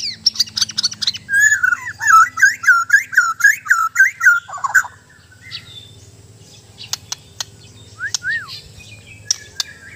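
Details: Bornean murai batu (white-rumped shama) from Sabah pouring out a fast run of loud warbled, bouncing whistles for about five seconds, followed by quieter clicks and a couple of isolated arched whistles over a low hum.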